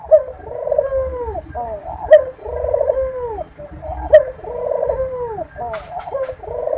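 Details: Barbary dove coos meant to stir other doves into breeding readiness: a steady series of purring, arched coo phrases about every two seconds, each starting with a crisp click, plus brief hissy bursts near the end.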